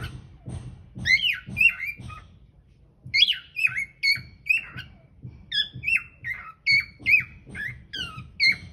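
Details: Cockatiel song recorded indoors with a hidden camera: a long series of short whistled notes, each sliding downward, repeated roughly every half second after a brief pause.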